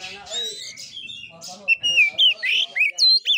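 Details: Kura kura style fighting song from an oriental magpie-robin: low buzzy warbles give way to a string of loud, pure whistled phrases that swoop up and down, repeated about four per second.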